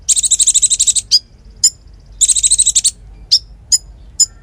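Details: Lively konin singing, kept as a training song for songbirds. A dense high rattling trill opens, followed by scattered sharp chips, then a second trill and more spaced chips. Little else is heard.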